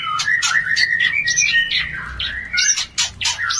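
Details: Oriental magpie-robin mating call to raise breeding urge: a loud, continuous tumble of varied slurred whistles and chirps, rising and falling, with harsher scratchy notes toward the end.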